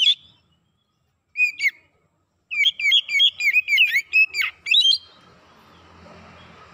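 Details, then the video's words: Oriental magpie-robin lure song for provoking other birds to sing fiercely; after near silence, a single chirp, then a fast chattering string of sharp whistled notes, ending in faint background hiss. "PANCINGAN KACER CEPAT KONSLET NGOTOT BONGKAR ISIAN"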